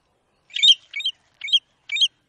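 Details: American golden plover (batuiruçu) from Brazil: one longer, buzzier chirp followed by three shorter bright notes, evenly spaced, high and clear.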